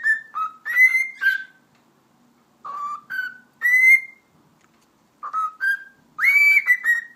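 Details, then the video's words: Pet cockatiel kept at home, known for saying the Turkish phrase for donkey foal and giving whistling shows; clear whistled phrases of short low and higher notes, repeated in three bursts with pauses, each ending on a longer rising tone. "Sultan Papağanı Konuşması - Eşek Sıpası Diyor"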